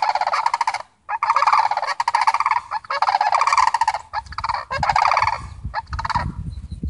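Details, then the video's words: A family of Sandhill Cranes give loud, rolling, trumpeting rattles in bursts of about a second, with brief pauses between; a low rumble, likely wind, comes in near the end. "SANDHILL CRANES CALLING"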